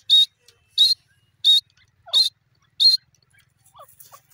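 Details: Grey francolin, locally called dakhni teetar, giving five loud, high, shrill notes repeated roughly every two-thirds of a second, followed by a few faint, lower, sliding notes.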